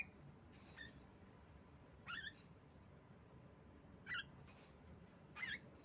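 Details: Javan myna female calling as a lure for mynas that have stopped singing: three or four brief, thin, wavering squeaks at irregular intervals, fairly quiet against a soft background hum.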